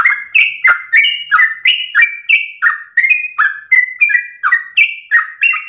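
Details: Sooty-headed bulbul in unbroken ropel song at dawn: a steady, rapid stream of loud, rich chirps, roughly three per second, each note gliding down, alternating between lower and higher pitches; clean background.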